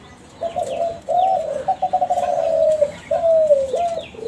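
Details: Young Kelantan spotted dove from a champion contest line cooing to make other doves reply: hoarse low notes, a rapid rattling stutter, then long smoothly falling coos and a final clipped note.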